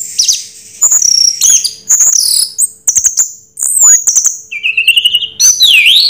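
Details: Raja Teler style song of an orange-headed thrush, mixing very high sweeping whistles, scratchy notes and a rising, wavering phrase near the end, in quick separate bursts.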